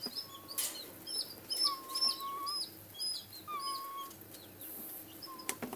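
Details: White greater rhea chicks aged 11 days and 1 day give long, level, mid-pitched whistles of about a second each, amid a scatter of high, quick chirps and squeaks.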